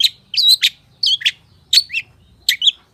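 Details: Long-tailed shrike song made of paired chirpy, slurred whistled phrases, each pair repeated roughly every three quarters of a second, with a quiet low hum underneath.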